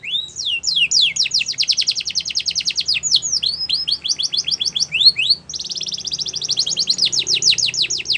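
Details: Canary singing for training, chiefly long rapid trills of rising notes linked by brief swooping whistles, the tour changing to a tighter, faster roll after a short pause.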